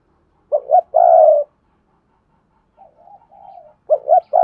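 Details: Spotted dove kept as a decoy to draw in wild doves, giving a two-note coo ending in a long drawn croo. Softer, lower coos from another dove follow, then the loud phrase starts again.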